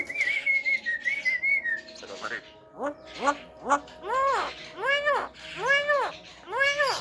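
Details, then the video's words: A talking Javan myna whose call is used to provoke other mynas: one long wavering whistle, then voice-like arched syllables repeated a little under once a second, sounding like mimicked speech. "PANCINGAN SUARA KHAS JALAK KEBO PANDAI BICARA BIKIN JALAK LAIN EMOSI"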